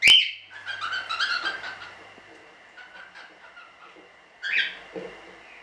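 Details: Standard-colour cockatiels bred as show birds in a small hobby breeding. A sharp opening shriek gives way to softer, fluttering chirps and chatter, then a single louder harsh call stands out near the end.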